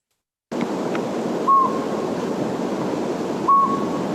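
A Northern Pygmy-Owl gives two short, clear, mid-pitched toots about two seconds apart over a steady background hiss.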